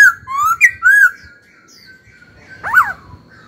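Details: Caged laughingthrush kept for song training, singing: loud clear whistled phrases, rising then falling and slurred, in a quick burst for a second, then a pause and a sharp downward-sweeping note. Faint low room noise underneath.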